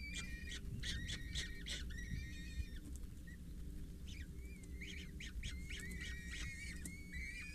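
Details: Four peregrine falcon chicks, 6–8 days old, being fed by a parent at a water tower in Scheveningen on 8 May 2023, give harsh, rasping squeals in quick bursts, then longer wavering whines, over a steady low rumble.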